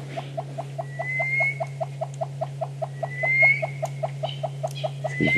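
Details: Yellow-billed hornbill at sunrise on 30 June, perched in the first sun rays, gives its morning call and display: a long, steady series of hollow clucks, about five a second, with a southern boubou's rising whistles and a low engine hum underneath.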